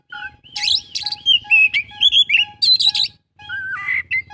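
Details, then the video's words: In an 'isian full' song, an Oriental magpie-robin mixes buzzy chatters with looping whistles. A short, even-pitched tone repeats regularly in the background throughout. "kacer isian full"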